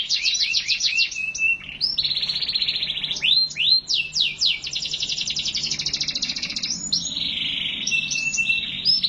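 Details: Energetic canary song: quick chirp series, rising slurred notes and long buzzy rolling trills, repeated in varied phrases over a faint low hum.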